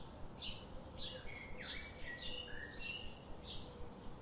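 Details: Daily garden visitors chirping softly: repeated short downward chips about twice a second, mixed with a few thin whistled notes, against steady low background noise.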